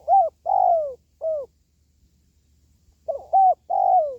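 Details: Spotted dove call, used to boost the spirit of pet doves kept at home or to lure wild doves when trapping; two phrases of cooing notes, a short coo, a long downslurred coo and a final shorter coo, with a pause between.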